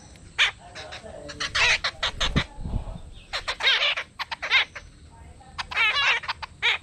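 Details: Several jungle babblers (Argya striata) in the Konkan give harsh, rasping squawks and chatters in quick overlapping bursts, over a faint steady high hiss and a brief low thump.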